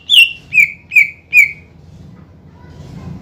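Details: Greater green leafbird, a strong singer used as a lure to provoke rival birds into singing: four clear whistled notes, each sliding downward, about half a second apart, then near silence with faint low hum.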